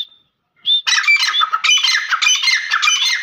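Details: Grey francolin giving a thin whistled note, then a sudden burst of loud, harsh, rapidly repeated squawking notes that continues without pause.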